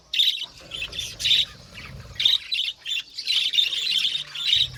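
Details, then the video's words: Aviary budgies giving loud, clipped squawks and chirps in distinct bursts with short pauses, building into a longer run of chatter near the end. "Budgies parakeets chirping sound | Cute Budgies birds singing sound"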